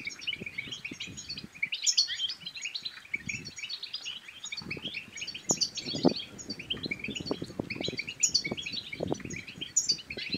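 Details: European goldfinch song used to motivate other goldfinches to sing and pair: an extended, rapid chatter of high tinkling notes and trills with recurring sharp chips, above frequent low rattling and tapping noises.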